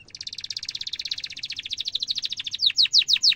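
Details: Young-canary training song of a canary in the Indonesian ngerol manner: a long dense rolling trill of quick high notes, closing with four loud separate downward-sweeping whistles.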